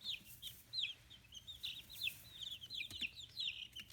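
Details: Chicks fifteen days old, newly feathering, kept free-range in Kitahiroshima, Hiroshima Prefecture, Japan, giving continuous bright high peeps in quick overlapping runs, some notes sliding downward, over a quiet low background hum.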